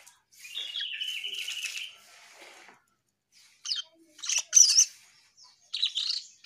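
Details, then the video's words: Asian pied starling in song: a long buzzy whistled phrase, then quiet, followed by a few short sharp squeaky bursts and rasping notes separated by brief pauses. "Burung cucak Keling Gacor"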